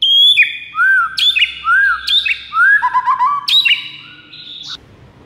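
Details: White-rumped shama master song used to lure rival shamas: loud clear whistles, some sliding down, others arching, mixed with quick high chips and a buzzy rattling trill, phrases in rapid succession.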